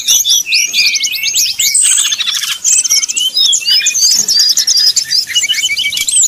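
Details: Brown-chested jungle flycatcher singing in whistling 'nyuling' style, a lure meant to agitate rivals: fast tumbling whistles and trills, a brief buzzy rattle around the middle, then more varied high phrases.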